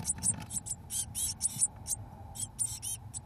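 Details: Seventeen-day-old Eurasian blue tit chicks in a nest box, fed mealworms by both parents: bursts of hissy, high-pitched begging calls, short rasping notes in quick clusters over a steady low hum.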